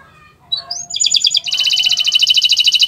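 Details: Friday-morning canary song opening with a short rising whistle, then breaking into a dense, rapid, high rattling trill that carries on steadily to the end.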